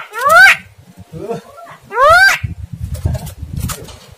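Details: Starling lure sound played to push a lazy, quiet caged starling into singing and bring out its fighter voice: two loud, harsh, harmonic upswept calls about 1.7 seconds apart, separated by soft low murmuring and faint chatter.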